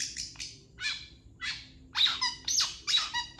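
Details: Long-tailed shrike master song for training other birds: spaced harsh, nasal squawks, growing louder and closer together toward the end.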